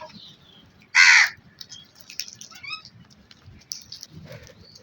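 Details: Crow giving a single loud, harsh, hoarse caw lasting about a third of a second, followed by faint high chirps and whistles of other birds and low background rumble.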